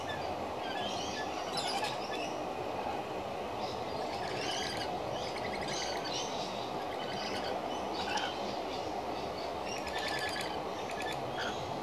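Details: Rainbow lorikeets feeding, giving a busy stream of short, high chirps and screechy notes in overlapping bursts, set against a steady broadband rumble of background noise.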